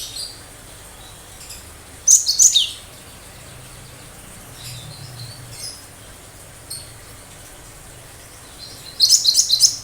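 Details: Cinereous tit giving sharp 'tembakan tajam' phrases: two bursts of quick, high, piercing notes about seven seconds apart, with faint notes and steady background hiss between them.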